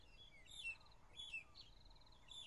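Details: Magpie-shrike singing during a morning drive on 15 April 2011: faint, thin, clear whistled phrases and sliding notes, mixed with short rapid buzzy trills from other birds.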